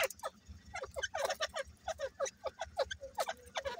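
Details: Grey francolins, a breeding pair, call in sharp, rasping, downward-slurred notes repeated at an uneven quick pace, somewhat quieter, over a low steady hum.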